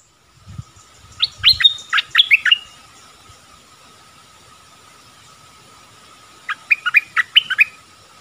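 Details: Forest recording of a nok dok taeng decoy calling a mate, 13 January 2021: two short groups of five to six rising chirps separated by a quiet stretch, with a faint steady whine throughout.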